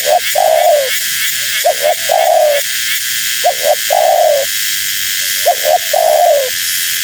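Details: Female spotted dove repeating her call to draw wild doves: three phrases, each a brisk double note then a long descending coo, regularly spaced, over continuous hiss.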